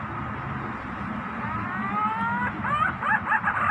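Pink-necked green pigeon giving soft, drawn-out whistles that slide upward, then a quick run of warbling, wavering notes, over a low rumble of distant traffic.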